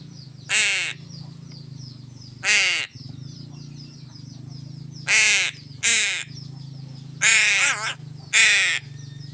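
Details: A crow being fed fish gives six rough, nasal caws at uneven intervals, some paired close together, against a constant low hum.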